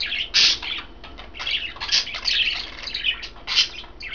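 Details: Pet budgerigars, three of them in green, blue and white, chirp as they feed on kale; harsh squawky chirps in bursts, loudest near the start and end, over a constant warbling chatter.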